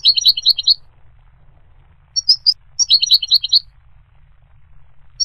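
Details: Goldfinch singing in two bursts of rapid, high twittering notes with short tinkling phrases between them, set against a quiet background.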